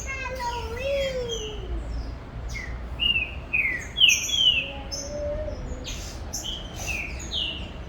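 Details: Green-winged saltator kept for song tournaments, beginning to sing at a breeder's aviary in Brazil: a low wavering whistle opens, then bright slurred phrases in a cluster, among many sharp high chirps from other caged birds.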